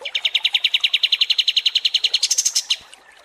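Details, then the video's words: Cream-vented bulbul (kapas tembak) song used to train contest songbirds: a steady, rapid trill of bright notes, jumping higher near the end before stopping, with faint chirps. "MASTERAN KAPAS TEMBAK DURASI PANJANG"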